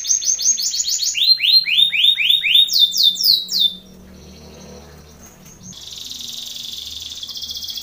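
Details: Belgian canary singing a contest training song: loud repeated downward-sweeping whistled notes about four a second, a quiet pause, then a high rapid buzzy trill.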